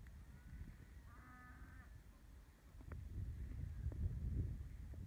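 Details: In April 2016, near the Besh Barmag watchpoint in Azerbaijan, a long-legged buzzard gives one drawn-out, nasal mewing note lasting under a second, over strong gusting wind.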